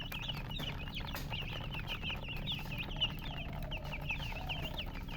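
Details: Chicken chicks chirping: many high, quick, downward-sliding peeps overlapping steadily, with a constant low hum underneath.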